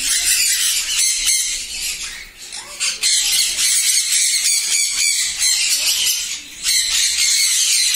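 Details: Captive sun conures, sixteen breeding pairs kept on a farm in East Medinipur, West Bengal, India, fill the air with a dense, continuous chorus of harsh, high screeches and squawks, overlapping with only brief dips in loudness.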